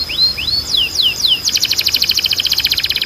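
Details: Canary song for training other canaries: five slurred, swooping whistles that rise and fall, then switching abruptly into a dense, very fast rattling trill.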